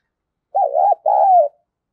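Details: Hen spotted dove calling to excite cock birds, two clear coos in quick succession, a warbling first note followed by a longer smooth falling one, quiet background.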